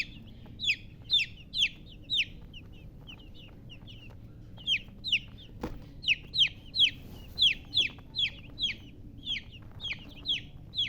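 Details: Young chickens chirping continuously, over twenty shrill descending peeps in eleven seconds, loosely spaced, with a single sharp click midway through.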